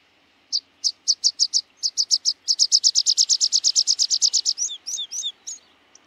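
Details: Rock pipit (Anthus petrosus) delivering a long series of sharp high notes that speeds up into a rapid even run of about twenty, then ends with a few lower, sliding, buzzy phrases.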